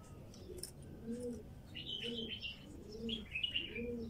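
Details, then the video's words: Female bulbul in the wild gives two short, bright warbled phrases separated by a pause, while soft, rhythmic dove coos roll on underneath and faint rustling noise fills the background. "تغريد بلبل نثيه وحشي"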